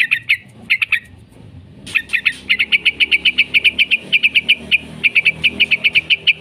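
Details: 'Ngekek' chatter of a yellow-vented bulbul, used to train bulbuls and prompt them to answer: a few short note pairs, a pause, then a fast continuous run of sharp repeated notes over low background noise.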